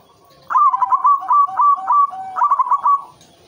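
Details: White zebra dove singing actively, used as a lure to stimulate breeding: two rolling phrases of rapid, stuttered coos, each note a short burst followed by a drawn-out mellow tone, repeated about three times per second.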